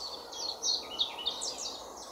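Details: European pied flycatcher, male and female: a quick phrase of high, thin, sweet notes that step up and down, fairly faint against a steady background hiss.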